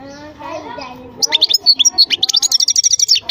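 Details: European goldfinch song begins after a second of low murmuring voices, then runs as a fast, steady string of sharp, high twittering notes, about three per second, liquid and buzzy in turns.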